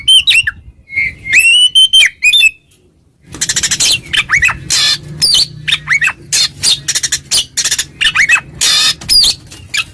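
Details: Oriental magpie-robin (kacer) in ngeplong song provoking a rival; opening clear whistled phrases, a short silence, then a dense run of harsh scratchy notes mixed with whistles.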